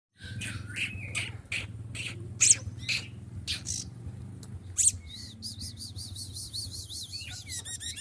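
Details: Kept sunbird singing a varied song said to include mimicked prinia and bulbul phrases: sharp high chirps and short notes, then a fast, even trill of repeated notes, over a low humming background.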